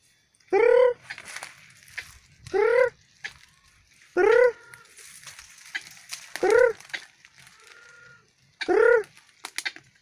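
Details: White-breasted Waterhen in the wild, at a place where waterhens usually bathe. It repeats harsh, nasal, slightly rising croaks roughly every two seconds over a noisy, hissing background.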